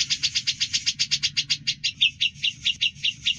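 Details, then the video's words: Fast ngebren song of a grey-cheeked bulbul for training songbirds: about twenty quick high pulses that slow slightly and drop in pitch midway, with a low background hum throughout. "Masteran Cucak Jenggot Gacor Ngebren dan Jernih Durasi Panjang"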